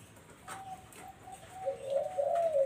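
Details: Barbary dove coo recording meant to attract zebra doves. Faint, thin whistled notes at the start give way to a loud, low rolling coo in the last second.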